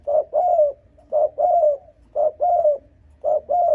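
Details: A spotted dove calls with a provoking coo meant to lure rival wild males: four rapid two-part phrases, each a short note then a longer downward-sliding coo, repeated about once a second, clean and loud.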